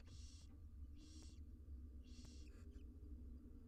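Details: Feeding time for six wild barn owl chicks in a research nest box; three loud, breathy hissing bursts under a second apart, the last trailing into fainter wheezes, over a low hum.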